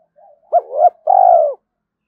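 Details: Early-morning spotted dove coo meant to provoke fighting and lure: two short swelling notes followed by one long, slightly falling coo, low and hollow, no other sounds.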